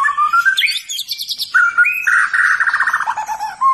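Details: White-rumped shama singing in fighter style: loud varied whistled phrases, a rising slur, fast rattling trill runs near mid pitch, then lower whistled notes, clear and strong throughout.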